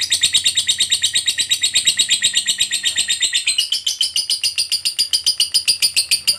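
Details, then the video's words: Lovebird giving long ngekek chatter, a lure for other lovebirds: steady rapid harsh chirping, shifting partway through into an even faster, brighter rattling series of clipped notes. "Suara Burung Lovebird DURASI PANJANG, TERBUKTI Paling Cocok Buat Pancingan Labet Agar Cepat Ngekek"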